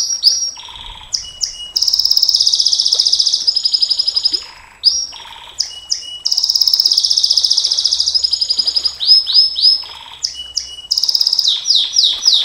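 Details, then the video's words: Canary singing 'nembak panjang' long song for masteran and pancingan of champion canaries: alternating long rapid high trills of several seconds with varied sweeping whistles and lower notes, strong and clear throughout. "Suara KENARI NEMBAK PANJANG, Untuk Masteran Dan Pancingan KENARI SANG JUARA, Canary Sound"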